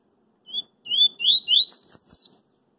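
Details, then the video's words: Double-collared seedeater singing in the street: a single whistle followed by lengthening slurred notes and a rising, rapid flourish of high sweeping twitters, with faint low background noise beneath. "CoLEiro CoringA cantando na Rua"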